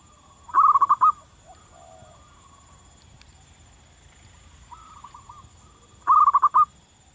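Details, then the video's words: Zebra dove in the wild: two loud bursts of rapid rolling coos about five seconds apart, with quieter coos of another dove between them. "suara burung perkutut lokal di alam liar gacor durasi panjang"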